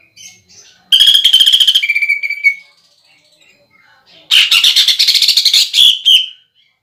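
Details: Greater green leafbird in full contest-style song, imitating a woodpecker: two bursts of fast hard buzzing trills separated by a silent gap, the first ending in a clear level whistle.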